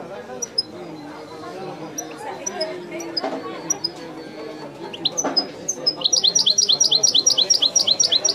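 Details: Song of a European goldfinch, authentic Wedani style: scattered high chirps over people talking, building into a fast, evenly repeated trill of sharp twittering notes during the final seconds.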